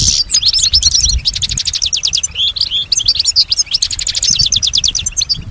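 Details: Caged female European goldfinch in strong song, imitating surrounding sounds; loud rapid rhythmic trills of sharp repeated notes, bright and continuous, opening with a short buzzy note.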